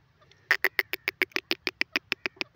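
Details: Grey francolin, known locally as teetar, giving a rapid series of harsh, clucking notes, about six per second, each broad and grating, steady in pace for over two seconds against a quiet background.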